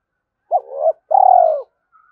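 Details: Spotted dove using the two-ending calling coo to rouse decoy birds: a wavering, swelling opening note followed by a long pulsed, slowly falling coo, with quiet surroundings.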